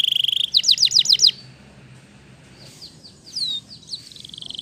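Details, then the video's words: A Waterslager canary gives a short high trill, then five loud, quick downward-sweeping whistles. Softer, scattered slurred notes follow, ending in a faint, thin trill. "Canary Waterslager Singing"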